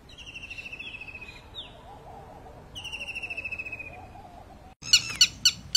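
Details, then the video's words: Birds chirping: fast trills of high, even notes in two bursts, followed by a few loud, sharp chirps near the end over a faint low background. "Birds' chirping"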